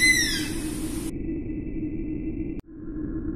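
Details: A single Oriental honey buzzard call opens the recording: a falling, whistled note with ringing overtones, followed by a steady low background hum and a faint thin tone.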